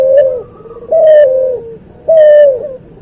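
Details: White albino crossed with pelung Barbary dove, cooing for masteran: three low, loud coos about a second apart, each starting high and sliding slightly down into a softer tail, in a quiet room.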